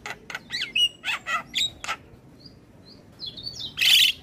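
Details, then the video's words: Javan myna singing on a recording used to train mynas to sing: several harsh, chattery notes, then a pause with a few soft high whistles, ending in one loud buzzy, rasping burst. "Masteran Jalak Kebo Terpopuler Tayang Setiap Hari Bikn Jalak Makin Gacor"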